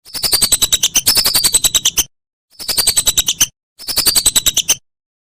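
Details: Whistling duck sounds recorded as a master for training songbirds: one two-second burst of rapid shrill whistles followed by two shorter one-second bursts, each separated by brief silence.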